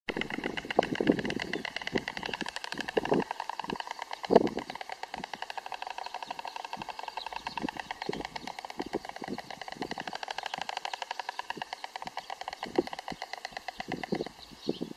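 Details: White storks courting in their nest clatter their bills in a fast, dry, wooden rattle that runs almost without pause, over a steady mechanical hum and faint background voices.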